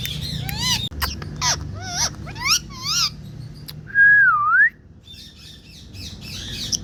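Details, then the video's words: Indian parrot calling, with mixed whistled notes: wavering harmonic chirps, sharp clicks, then a loud drawn-out whistle that dips and rises near the four-second mark, followed by softer chatter. "Indian Parrot Calling Mithu"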